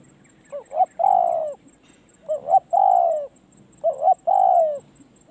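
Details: Spotted dove, a decoy bird being trained at a perch, gives three cooing phrases: two short hooting notes, then a long, slightly falling coo, about every 1.6 seconds. A steady high insect whine and faint chirps sound behind it.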